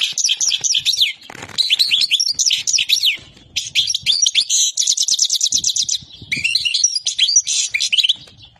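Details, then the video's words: Loud goldfinch song of tolaa notes, fast runs of downslurred chirps, dense buzzy trills and sharp twitters, with a faint low background thud or two. "طائر الولوال يبدع بتغريد نوتات ديال التولاع"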